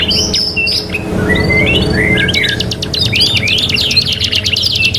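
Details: Three-in-one canary training recording: a few sharp whistled chirps and slides open, followed by a rapid rhythmic trill and tumbling warbles, over a fairly strong low rumbling background.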